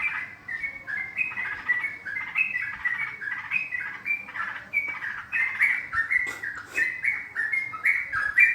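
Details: Lively garuda yellow-vented bulbul calling for luring birds to a trap: continuous bubbly, warbling whistled phrases rising and falling, repeated steadily over about eight seconds.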